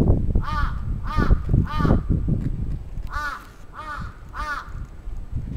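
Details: Attacking crow, Atsubetsu Ward, Sapporo, Japan, 27 June 2017: two bursts of three rapid, grating caws separated by a short pause, over low background rumble.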